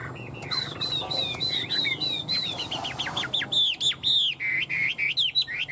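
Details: Tame caged Chinese hwamei, a fan-tailed bird, singing and flicking its tail like a laughingthrush; loud, fluid whistled phrases rising and falling, turning into quick repeated looping notes, with sharp clicks and a man's voice and laughter nearby.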